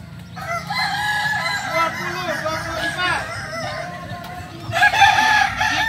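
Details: Kukuak balenggek roosters at a training competition at AMKO: several overlapping crows with wavering, stepped harmonic notes. A louder, brighter crow rises near the end over steady low crowd hum.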